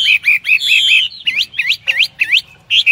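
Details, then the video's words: A Chinese hwamei in full song pours out loud, rich song: a quick run of repeated chirps, then a series of rising, upslurred whistles at a steady pace. "wambi \ hwamei gacor"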